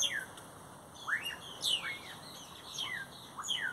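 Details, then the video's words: Great-tailed grackle song by a flowering Brugmansia tree: piercing rising and falling whistles, sharp squeaks and slurred notes in bursts, several calls overlapping, background hiss. "tordos cantando ( Quiscalus mexicanus)"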